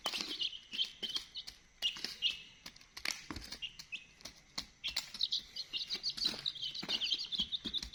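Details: Many young chickens peeping in a busy flock, high thin chirps in quick overlapping bursts that thin out midway, then grow dense again, with scattered sharp tapping clicks throughout.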